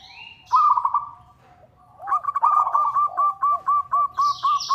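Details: Rival-calling local zebra dove, a sound used as a lure: one rich trill, a quiet stretch, then a steady series of short hooked notes at mid pitch with lower arched notes, and high chirping at the end.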